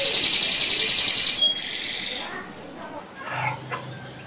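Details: ['Canary provocation song with a rolling style. About a second and a half of rapid buzzy trilling fades into softer warbled notes and faint low background sounds.']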